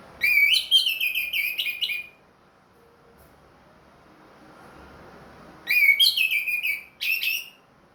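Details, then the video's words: Orange-headed thrush, a caged ring-marked bird that has finished moulting, in full song: two bursts of rich, fast, varied whistled phrases with sliding and trilled notes, split by a few quiet seconds. "MERANGSANG ANIS MERAH BUNYI PLONG"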